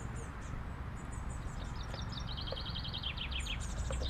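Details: A pied wagtail attacking a car gives quick, high, sharp chirps in rapid bursts of several notes, over a steady low rumble of background noise.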